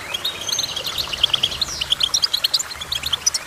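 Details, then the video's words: Goldfinch singing a quick run of sharp, high chirps and a short downward-sliding note, then clipped twitters repeated several times a second. "Goldfinch Chirping"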